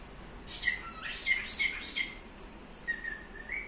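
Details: Pet budgerigar chirping: short whistled chirps and warbling notes in a quick burst, then a few softer rising whistles after a pause, indoors with faint background hum.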